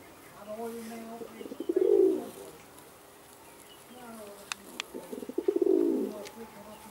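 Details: Indian Fantail fancy pigeons, domestic rock pigeon breed, recorded in Alkmaar, Holland: two rolling, throaty coos about four seconds apart, each swelling then fading, with faint clicks between.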